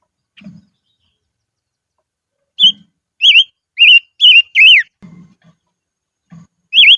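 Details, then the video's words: Silver-eared mesia decoy bird singing in the highlands: short bright whistled phrases, each note rising then falling, given in a quick burst of four, then a lone whistle after a pause, with faint low knocks between. "Chim Ngũ Sắc Mồi Hót Trên Vùng Cao"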